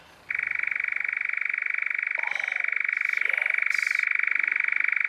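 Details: A male European nightjar (Caprimulgus europaeus) perched in a tree on heathland, back from equatorial Africa, gives its churring song: an unbroken, dry, mechanical churr of 30–40 rapid pulses per second, steady in pitch, with faint clicks and rustles.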